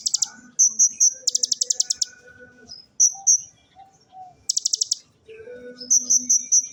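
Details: Oriental magpie-robin performing the ciblek-imitating song style: very high, rapid buzzy trills in bursts of about a second, alternating with clipped repeated high notes and softer low twitters.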